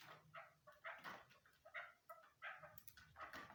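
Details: Female chukar partridge calling, apparently indoors in a small room: a run of short, harsh, clucking notes with a throaty texture, uneven and repeated about every second. No other clear sounds.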